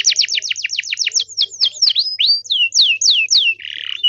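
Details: Canary singing in strong form to get other canaries to respond: a long run of clear downward-sweeping whistles, speeding and slowing, closing with a short rattling buzz.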